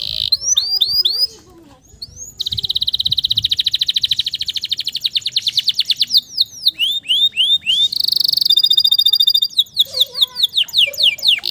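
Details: Male canary song played to encourage stressed, silent canaries; varied phrases of sweeping whistles, long rapid trills and a bright high rattling tour, delivered in quick succession.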